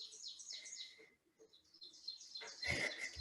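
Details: Male Ovenbird (Seiurus aurocapilla) singing in woods, a quick series of high, bright, descending notes, to establish a territory, attract a mate, defend its boundaries or counter-sing to neighbors; a loud rustling burst follows near the end.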